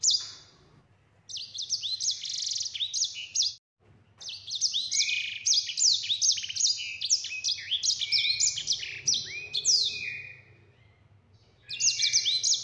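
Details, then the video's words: Yellow-fronted canary giving its long rolling 'ngeroll' song, clear-voiced and vigorous, recorded for tutoring other birds: dense, rapid, high-pitched warbling trills running for several seconds, broken by short pauses, then resuming near the end. "Sanger Gacor Ngeroll Suara Jernih"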